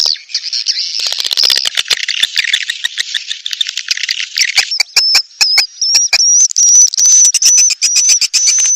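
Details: Edible-nest swiftlet mating lure: thick twittering chirps with rattling clicks, then sparse clicks and a high thin whistle wavering over and over in the last half.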